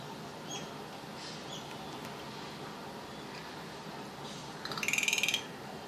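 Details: A rufous treepie in a house garden in India makes strange sounds: a brief, harsh, rapid rattle of metallic notes near the end, over steady background hiss.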